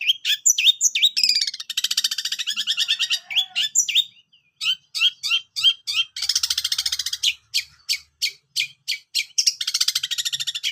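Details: Long-tailed shrike song used as tutor recording: harsh buzzy chattering bursts and scratchy rapid notes mixed with clear short whistles, delivered in irregular runs with brief pauses, on a clean silent background.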